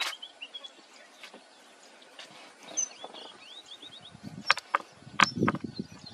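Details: Red munia in Nagpur, August 2023, giving soft high whistles, several upslurred, in a brief series, followed by louder knocking and rustling noises.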